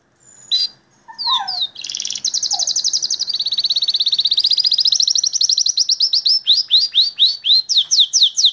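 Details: Belgian canary in full song: a few slurred whistles, then a long, loud, fast trill of repeated notes that gradually slows into distinct, sweeping downward-slurred notes at the end.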